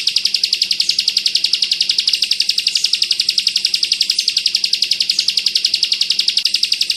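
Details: Bar-winged prinia, locally ciblek, delivering a crystal 'bren rapat ak 47' tutor song for white-eyes: rapid, evenly spaced high chattering notes, about four per second, sustained without a break.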